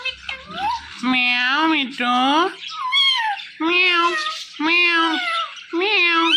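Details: Indian ringneck parakeet kept as a pet, talking indoors: five loud, harmonic, speech-like phrases about half a second to a second long, separated by short pauses, each slightly rising then falling, with a few high chirps between them.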